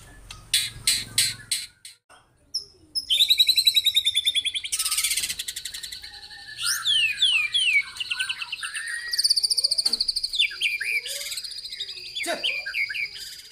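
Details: Fierce white-rumped shama 'tembakan' from a real bird: quick chip series, then a long, very fast buzzing trill, then varied slurred whistles and downward sweeps layered over a sustained high tone.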